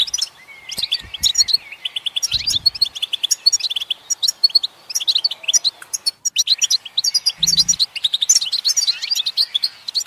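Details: Lively, continuous twittering from a European goldfinch, with tinkling high notes, buzzy trills and rapid chirp runs. A short pause falls midway, and two soft low knocks can be heard in the background.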